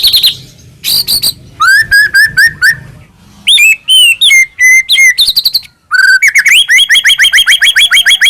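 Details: White-rumped shama singing, used as a lure to make captive birds sing: varied series of quick repeated whistled notes, some flat and clear, some rising, in rapid bursts separated by short pauses.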